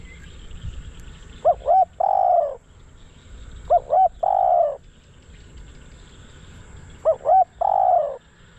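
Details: Spotted dove kept as a decoy bird to lure wild doves, giving three phrases of two quick rising hoots and a long, slightly falling, buzzy coo, about every three seconds, over low background hum.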